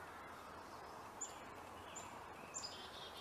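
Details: A hummingbird in the wild gives a few thin, very high, sharp chips spaced about a second apart over a steady, hissing background of outdoor noise.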